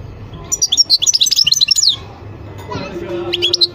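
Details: European goldfinch delivering a quick, sparkling run of high, liquid twittering notes for about one and a half seconds, then a short pause and a final brief twitter.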